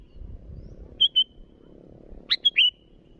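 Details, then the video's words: Sooty-headed bulbul calling rivals: two thin whistled notes, then a single full phrase of a click and two slurred whistles, over low rumbling noise. "Suara burung Kutilang Gacor memanggil lawan"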